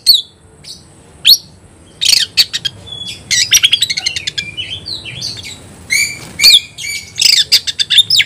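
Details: Caged Oriental magpie-robin in full, fiery song while competing against a rival: rapid varied phrases of sharp whistles, chattering bursts and buzzy notes, with short pauses between loud clusters.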